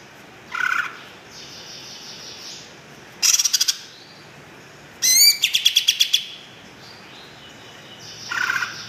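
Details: Greater green leafbird, a kept songbird, singing in short separated bursts: brief chirps, a rapid burst of repeated notes, then a longer run of fast clicking, trilled notes with a high whistled line, spaced over several seconds.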